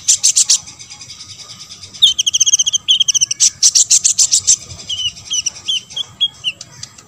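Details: Olive-backed sunbird song, played to stir other sunbirds into singing. Opens with loud rapid chips, shifts into quick high trills, bursts of chips again, then a descending series of short slurred whistles.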